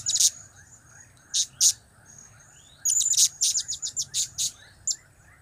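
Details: Blue-crowned hanging parrot making its cap, kiak and crap calls: a few loud piercing chirps, then a fast irregular chatter of about ten high notes, ending with one thin chirp.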